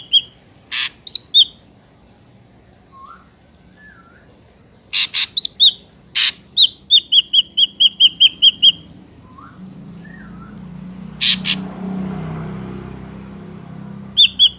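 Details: Ashy drongo in a natural recording used to lure drongos: harsh rasping bursts and slurred whistles, then a fast run of about ten repeated whistled notes, with faint background rumble.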